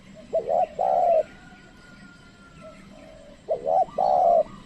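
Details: Decoy spotted dove calling wild doves that do not come near. Two mellow phrases, each a brief wavering double coo then a longer sustained coo. A faint thin whistle is heard between them.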